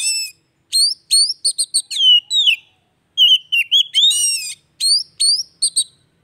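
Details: Song of an Oriental magpie-robin used to bring a stalled bird back to singing: crisp upswept notes and clicks, then long wavering whistles and a dense trill, repeated in lively phrases with short gaps.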